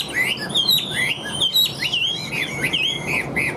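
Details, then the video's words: Caged Chinese hwamei singing nonstop with a steady voice: a fast, varied run of loud whistled phrases, slurred up and down, some notes swooping sharply, delivered in an unbroken stream. "Họa Mi Hót Như Máy, Điện Đóm Căng Ra Giọng Đều"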